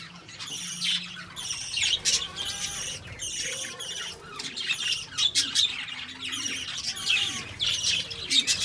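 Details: Lovebird chirping, a steady stream of sharp high squeaks and harsh squawks repeating in quick clusters about every second, several birds calling together over a faint low murmur.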